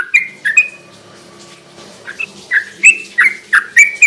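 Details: Yellow-vented bulbul (trucukan) lure song for night use on wild-caught birds: scattered bright chirps, then a quicker run of sharp slurred notes after a short lull, with faint low hum behind.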